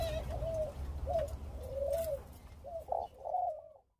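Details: Senegal dove × ringneck dove hybrid, of uncertain generation (possibly F2), kept in Thailand, gives a soft, low nest coo: five or six short, rolling phrases in four seconds over a faint low hum.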